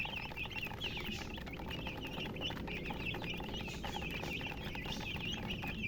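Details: Several colored chickens chirping near a hen: a busy stream of short, high peeps, evenly spread and overlapping, with steady low background noise.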